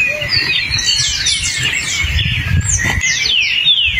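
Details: Forest song of a hepatic tanager: bright downward-sweeping whistled phrases, several in a row, over a constant high insect-like hum and scattered chirps from other birds.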